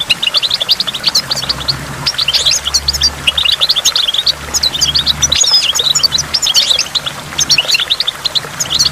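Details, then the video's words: Goldfinch by a waterfall with water drops, singing a rapid, continuous, high tinkling twitter of short chirps and trills packed closely together without pause, over a faint low steady hum. "in the waterfall stimulates goldfinch and water drops"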